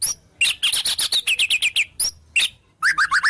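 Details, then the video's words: White-rumped shama singing borrowed wild-bird motifs: a rapid string of bright, slightly buzzy chirps about five per second, a short gap, then a quick series of lower warbled notes. "Suara Murai Batu Full Isian Burung Alam"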